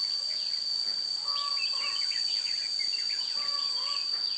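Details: Red-whiskered bulbul song while trapping with a decoy bird, 16 June 2017: quick bursts of bright, slurred chirping notes in short phrases, set against a continuous shrill insect buzz.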